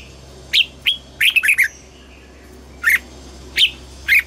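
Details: Red-whiskered bulbul morning song, trained toward a double-note wild-style song; separate clear whistled notes, a quick cluster of three or four near the start, then single rising-falling whistles spaced about every second, over faint low hum.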